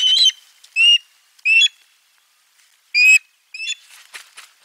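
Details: Osprey at nest 4, 3 June 2022, fish brought to the nest while sound is heard from the egg: a few separate whistled, slightly falling chirps with gaps between them, then softer broken notes.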